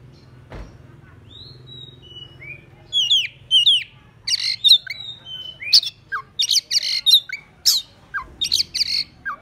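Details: Oriental magpie-robin song used to lure rival birds: a few thin whistles first, then a loud fast sequence of sharp chirps, rasping squawks and downslurred whistles repeated in short bursts.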